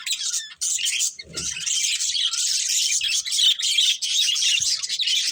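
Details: Steady, busy chatter of pet budgies: high buzzy warbling and chirps running almost without break, one short pause near the start.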